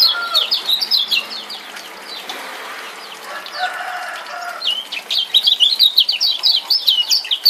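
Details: Rapid high chirping from a male lemon-bellied white-eye of Lombok, played as a lure for a silent bird; bursts of sharp notes open and close the stretch, with a softer lower warble between.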